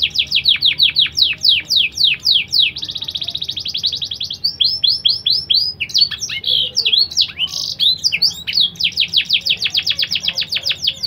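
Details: Crossbred BBSF and Berner canary singing blackthroat-style phrases, presented as a tutor for young birds: fast repeated descending whistles, a steady rattling trill, then varied looping notes and a closing series of rapid downward sweeps.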